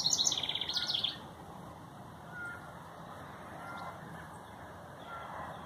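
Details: A female wren sings a loud, high, rapid trill for about a second in a garden on a dewy morning; faint whistles from other birds and a soft background hush follow.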